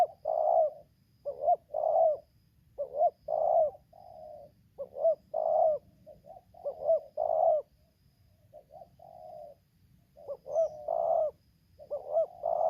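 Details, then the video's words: Lampung spotted dove recorded while being lured: a busy run of repeated coo phrases, with clipped double notes and long rolled coos, pausing briefly midway before resuming. Quiet low hum behind. "suara tarik akar selang nguku"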